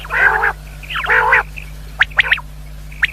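Common quail: two nasal, growling notes, then three quick, sharp whistled 'pwit' notes rising in pitch and a last short note. A steady low electrical hum runs underneath.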